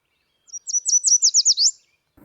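A Yellow Warbler sings a quick, bright phrase of about eight high, sweet notes that speeds up toward the end, all within roughly a second.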